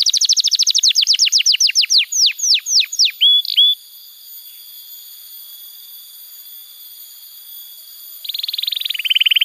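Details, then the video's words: Canary song for young canary training: a fast series of downward-sweeping notes slowing into a short whistle, a long quiet gap, then a buzzy two-step trill resumes. "Pancingan Suara Kenari Gacor‼️ Ampuh untuk Masteran Kenari Muda dan Terapi Kenari Macet Bunyi"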